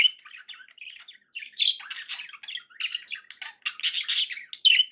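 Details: Pet budgerigars start with soft, chattering whistles and build to louder, scratchy squawks and chirps in quick succession.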